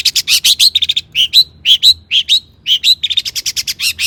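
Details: Long-tailed shrike in lively mimicry song, played to rouse other shrikes: dense chattering notes broken by bright upslurred whistles, delivered in quick bursts.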